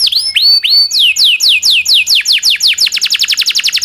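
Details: Local canary tutor song for shamas and other songbirds: a few slow upswept whistles, then falling notes that quicken into a fast roll.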